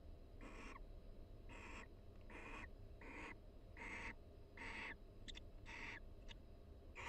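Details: Quiet pair-bonding chatter of two barn owls in a nest box at the University of Florida in breeding season; eight rapid breathy rasping bursts with a couple of tiny clicks, steady hum beneath.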